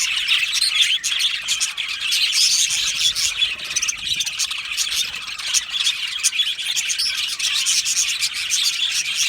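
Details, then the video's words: Aviary colony of budgies singing and chirping: thick high-pitched twittering with squeaky, squealing notes and rapid ticking sounds mixed into the constant chorus. "Beautiful Budgie singing and chirping sounds"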